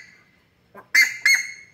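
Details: Young Buff-necked Ibis on a farm in Mato Grosso, Brazil, a bird noted for noisy late-afternoon and morning calling: two loud, harsh, ringing honks in quick succession after a soft lower note, with a person speaking nearby.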